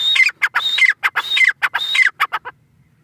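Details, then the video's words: Loud, rhythmic calling of a teetar, or grey francolin: four harsh, ringing phrases, each with a high whistle falling in pitch, separated by clipped notes, ending with two fading chips. "Teetar ki awaz | Teetar voice | gray francolin teetar sound"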